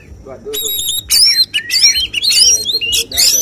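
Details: Oriental magpie-robin singing in a songbird contest, a judged 'tembakan' style: harsh broadband bursts mixed with sweeping whistled phrases, rising and falling notes delivered in a rapid varied series.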